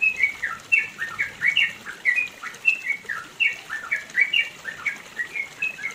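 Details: A yellow-vented bulbul, recorded around mountains in East Java, pours out a long run of bubbly, liquid notes, each phrase rising and falling, several per second, against a quiet background.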